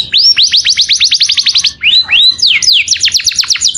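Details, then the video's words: Canary calling its companion, with a clear voice: a fast series of high upslurred whistled notes, then a pair of longer swooping slurs and another quick run of sharp downward notes. "O SOM DE UM CANÁRIO CHAMANDO SEU AMIGO, VOZ CLARA"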